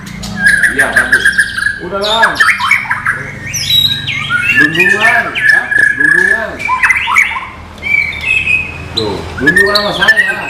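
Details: Varied white-rumped shama song of chirps, rich warbled whistles and downward-sliding notes, delivered in loud bursts with short gaps between phrases.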